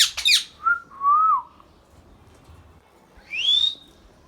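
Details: Pet Indian ringneck parrot opening with a sharp harsh screech, then two mellow level whistles, and ending after a pause with a loud rising, buzzy squawk.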